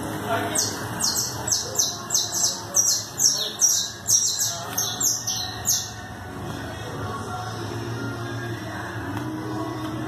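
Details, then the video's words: A four-month-old canary sings a rapid run of high, sharply descending sweeping notes, roughly three per second for about five seconds, before fading into a low steady background hum. "Bastico cantando solo 4 meses."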